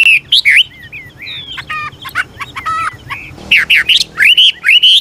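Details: An old wild Chinese hwamei sings varied phrases to get young birds singing; loud swooping whistles at the start and end, with softer harsh, stuttering notes in between.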